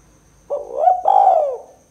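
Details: A 'kuk 2' coo of a spotted dove, used for luring birds: a short hollow note swelling upward, a brief break, then a drawn-out cooing note that drops in pitch and trails off, with faint low background rumble.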